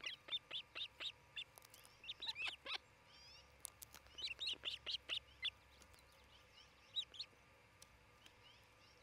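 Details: {'caption': 'Osprey pair at their nest near Charlo, Montana, filmed by a nest camera on 27 June 2018 near midday; sharp, high whistled chirps in quick repeated runs, some rising, with faint background birdsong.'}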